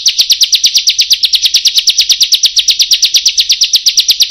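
Bar-winged prinia pouring out a fast, even roll of sharp, high chipping notes, about eight a second, with no other sounds.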